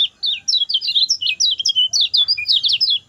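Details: Short, fast 'speed pendek' song of a lemon-bellied white-eye, used to train other birds: about three seconds of rapid high twittering, with clipped notes sliding up and down in quick succession after a brief pause.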